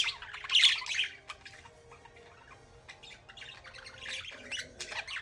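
Budgerigars chattering with scratchy, high chirps and squawks in quick, irregular bursts.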